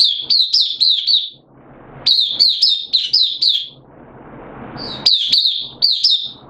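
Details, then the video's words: Caged oriental white-eye kept as a hobby songbird, recorded 8 September 2022 while its singing form had dipped a little: bursts of thin, high, slurred chirps in quick runs, pausing between phrases, with soft background hiss. "Mata Puteh Kitaro Buka Sing"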